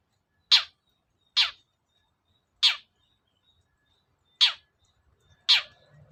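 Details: Long-tailed shrike lure sound, played to draw a silent cendet into singing: five loud, harsh, rasping single notes at uneven intervals over a faint thin whistle.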